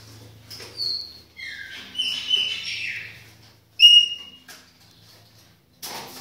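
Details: Chopi blackbird singing in a kitchen: a few separate clear whistled notes, some falling and some level, broken by pauses, with one sharp bright note near the end and a faint low hum underneath.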